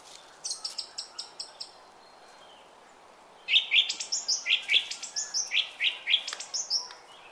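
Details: Birds singing in a park: a bright, high chirping song with a quick run of about six short notes, a pause, then a louder, busier stretch of repeated sweeping phrases over a faint background hiss.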